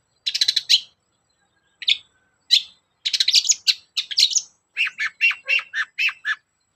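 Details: Long-tailed shrike song used as a lure to make other shrikes sing: rapid scratchy chatter, then a run of separate lower harsh notes, each one repeated.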